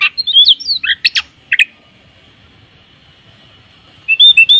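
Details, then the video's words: Oriental magpie-robin singing in the morning, with tembakan kapas fills: a short burst of sharp whistles and slurred notes, then more than two seconds of quiet before a new phrase of high, bright whistles. "Kicau Kacer gacor dipagi hari full isian tembakan kapas"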